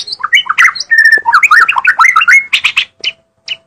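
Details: Vigorous White-rumped shama song: quick sequence of fluty whistles, a long level whistled note, twisting slurred phrases and a rising note, ending in a few harsher chips before quiet.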